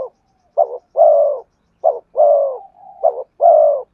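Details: Spotted dove cooing to lure wild birds, with three low phrases each made of a brief wavering note and a drawn-out, gently descending coo, plus a soft connecting hum between phrases.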